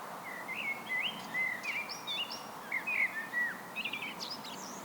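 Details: Blackbird (Turdus merula) singing alone: loose sequence of fluted, gently slurred whistles broken by short gaps, with high scratchy twittering notes woven between and at the end, over a light constant hiss.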